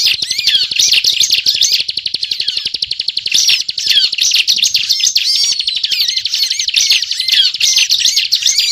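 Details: Bar-winged prinia (ciblek) singing in 'gacor ngebren' style, a recording meant to lure birds for trapping: long rattling high trills interleaved with quick chirps and falling slurred notes, almost unbroken over several seconds.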